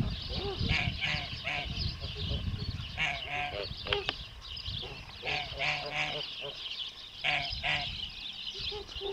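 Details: Farm-kept male Kholmogory goose, hatched 2014 and fully white, giving many short nasal honks in irregular bursts, some overlapping, with steady low background noise throughout.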